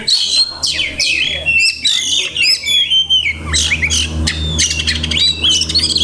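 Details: Kacer, the Oriental magpie-robin, showing off many imitated phrases: staccato high chips and swooping whistles in short bursts, with a low steady hum in the background.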